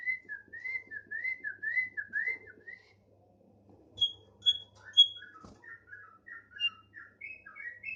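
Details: Thick-billed heleia, a tame bird singing vigorously, gives a steady series of rising-and-falling whistled notes about twice a second, then three higher piercing whistles and a jumble of quick varied warbles.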